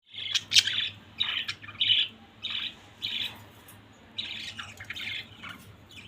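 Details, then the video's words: Pet budgerigars kept as a family group indoors give short bright chirps, grouped in bursts about every half second to a second, with a low steady hum beneath. "Beautiful budgies family"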